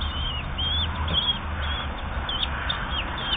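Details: Common kestrel nestlings aged 8 to 10 days being fed, giving high, squealing cries repeated roughly every half second, each one sharply rising then falling, over a constant low-pitched background hum.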